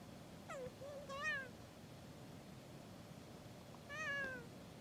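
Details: Kea trying unsuccessfully to break into gear and then checking out the camera, giving three nasal, mewing calls, each wavering then sliding down, two close together and one after a pause, over low hiss.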